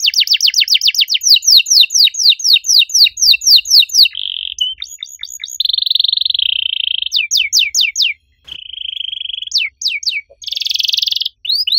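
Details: Canary in full, loud song with an unusual cengkok ornamentation: quick repeated downward sweeps give way to sustained buzzy warbles and flat trilled tones, broken by brief pauses and renewed bursts of sweeping notes.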